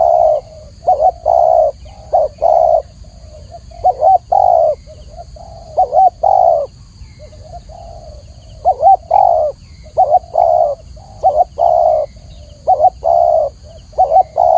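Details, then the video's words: Long run of spotted dove song from Indonesia: repeated low phrases of soft lead-in notes, a quavering double coo and a sustained coo, mostly evenly spaced with a short pause midway, faint steady hiss throughout. "masteran burung tekukur atau spotted dove suara jernih"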